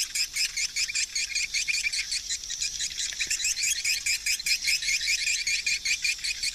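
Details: Swiftlets in their hundreds circle near a swiftlet house, a steady stream of quick repeated high chirps, roughly two or three per second, from many overlapping birds.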